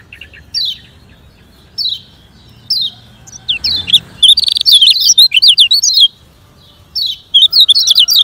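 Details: Lemon-bellied white-eye in fast 'speed kenceng' song for training slow-singing kecial kuning: spaced high falling chirps, then a long, dense, rapid twitter of sharp notes, ending in one more chirp cluster.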